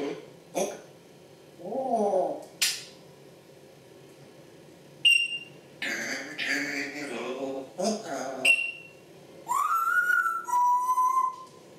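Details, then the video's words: African grey parrots indoors in a small room talk, swear and make noises: speech-like phrases mixed with clicks, sharp whistles and a rising then level whistled note near the end. "african grey parrots talking and making noises and swearing"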